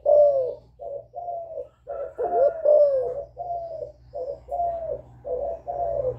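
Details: Spotted dove, a young bird, in a steady run of low coos, both calling and bowing types, used to excite wild birds. Soft hollow notes follow closely, a few louder bent ones in the middle, with a faint low hum underneath.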